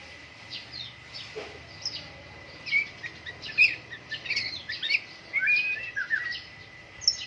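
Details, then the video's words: Caged white-rumped shama during morning dew airing, singing varied whistled and chattering phrases in bursts, some sharp high notes, against a steady faint background hum. "MURAI BATU GACOR, PROSES BURUNG MURAI PENGEMBUNAN PAGI"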